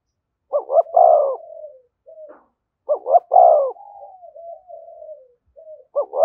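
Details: Spotted dove giving the 'thúc gù' coo close to a decoy bird: two short low hoots and a louder drawn-out coo, repeated about every two and a half seconds. Softer, wavering lower coos trail between phrases.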